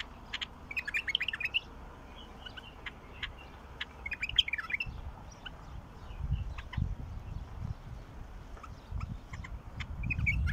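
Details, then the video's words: Wild bulbul song: short bubbling whistled phrases early and midway, with scattered sharp clicks and ticks throughout and rising low background rumble toward the end. "تغريد بلبل وحشي"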